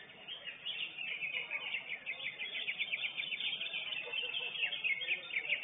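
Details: Lesser green leafbird (Chloropsis cyanopogon), the first-place winner at a songbird contest, pours out a fast, unbroken stream of high chattering and warbled notes over a faint background murmur.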